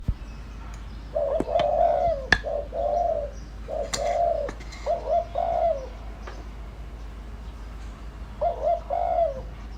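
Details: Decoy spotted dove calling to draw in wild doves: a series of deep, hollow coo phrases with a rolling middle note, grouped in bursts, with sharp clicking knocks scattered between them.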